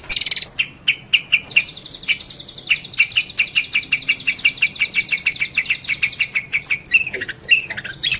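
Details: Long-tailed shrike singing in a training recording for songbirds: a long, fast, even trill of repeated chips, broken by thin whistled slurs and a few downward-sliding high notes toward the end.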